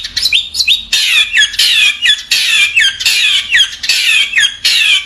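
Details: Caged long-tailed shrike at a bird seller's in Bondowoso, Indonesia, giving loud harsh squawky phrases mixed with sharp whistled downward sweeps, repeated in rough bursts roughly every second.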